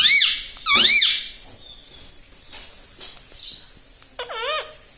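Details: Pet rose-ringed parakeet mimicking "mummy": two loud bent harmonic syllables at the start, a long quiet stretch with faint clicks, then one more arched squeaky utterance near the end.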